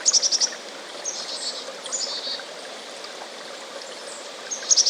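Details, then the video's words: A chickadee gives quick bursts of four or five thin, very high notes at the start and again at the end, over a steady rushing hiss. "Chickadee Copyright Free Sound Effect FX"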